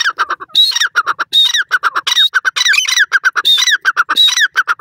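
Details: Grey francolin, known locally as dakhni teetar, giving loud, shrill, harsh calls. Rapid pulsed notes are broken by longer rasping phrases that rise and then fall, repeated about every second with little pause.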